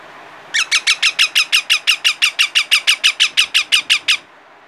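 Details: Indian ringneck parakeet chicks giving their natural voice: a steady run of about twenty harsh, high squawking notes, around five per second, evenly spaced and then stopping abruptly.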